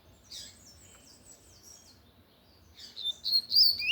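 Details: Singing loudly, a lined seedeater gives Tui Tui style notes, an opening high trill, a lull, then a rush of sharp, high whistled slurs.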